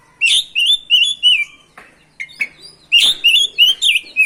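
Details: Continuous 'ngerol' song of an oriental magpie-robin (kacer), used to rouse other magpie-robins: bright whistled phrases in rapid runs of four or five notes, split by short scratchy calls.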